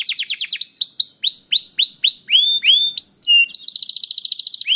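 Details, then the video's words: Canary in song, used as a lure for other canaries: a quick roll, then a series of rising chirps, ending in a very fast high trill. "Sekali Putar Kenari Lain Langsung Nyaut Bunyi Gacor || Voice of Canary"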